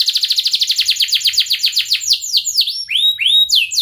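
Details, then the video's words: Canary singing to tutor young canaries: a quick trill of descending notes that gradually slows, ending in loud, separate upswept whistles. "kenari gacor panjang Cuit Cuit EMOSI, Pancingan Kenari Paud Belajar Bunyi, terapi AMPUH Kenari MACET"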